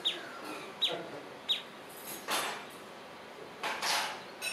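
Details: Cape weaver perched in a bush beside a cabin at Glen Reenen Rest Camp, Golden Gate National Park, South Africa, 23 Nov 2022, giving three sharp, high chips less than a second apart, followed by broad rushing bursts of wind or rustling.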